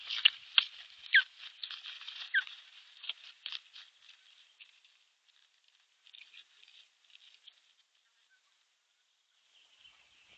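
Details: Osprey at its nest on 21 April 2023, filmed by a nest camera while defending the nest against an intruding osprey: a burst of sharp, high chirps that thin out into faint, scattered notes and then near silence.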